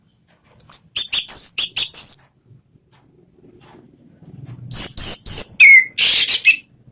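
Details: Lure song of an orange-headed thrush meant to set a kept bird singing: two rapid runs of high, sharp whistled notes separated by a pause, ending with a low downslurred whistle and a harsh burst.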